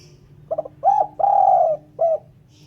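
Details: Spotted dove calling in a clean recording meant as a lure for bird catching: a quick stutter of short notes, a rising coo, one long drawn-out coo, then a short closing coo. A faint low hum lies underneath.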